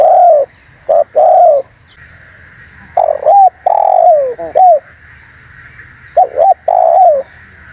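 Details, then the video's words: Spotted dove lure call for attracting birds: grouped phrases of short stuttering coos ending in a long falling coo, separated by pauses of a second or two, over a steady high hum. "Suara TERKUKUR GACOR ‼️semua burung pada ngumpul"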